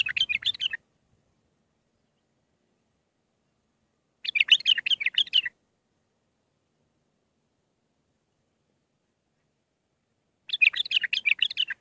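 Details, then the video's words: Young-bird training recording of bulbul song, Mandalawi style: three phrases of rapid, bubbling chattered notes, about a second each, separated by long silent gaps of several seconds. "للتخريج االمخاليف. مندلاوي ب6 لسانات"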